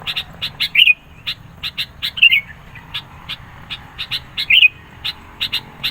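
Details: Vigorous sooty-headed bulbul song, meant to attract birds and provoke rivals; rapid chip notes in clusters punctuated by three loud warbling phrases spread across the recording.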